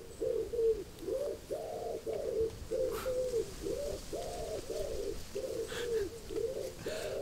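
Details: A lonely pigeon in a garden bush, then on a fence, coos steadily in soft, low, hooting notes, several per second in rolling phrases, looking for a mate, with faint clicks behind, on an unsettled July day in England.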